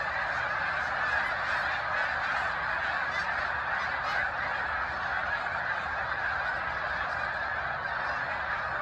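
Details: Hundreds of overlapping honks from a large snow goose flock gathered on the shores of Cayuga Lake, Seneca Falls, NY, in March 2021, merging into a continuous, even roar throughout.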